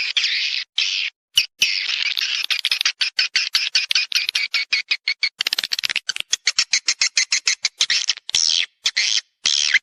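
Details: Swiftlet lure call for drawing birds to a swiftlet house to mate and nest: long stretches of dense, raspy high twittering, then rapid separate chirps, returning to buzzy bursts.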